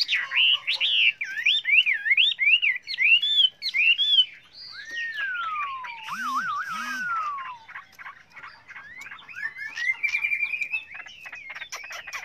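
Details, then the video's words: Chinese hwamei in many-voiced song used to train other hwameis: fluid zigzag whistled phrases, then a long sliding, wavering whistle, later quicker clipped notes; a brief low double sound in the middle. "Luyện chú chim họa mi hót hay"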